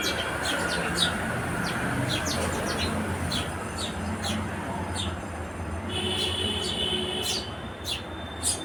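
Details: House sparrow chirps in a loose, irregular series over a steady low rumble of vehicle or rail noise. Level, drawn-out whistles are heard briefly near the middle and the end.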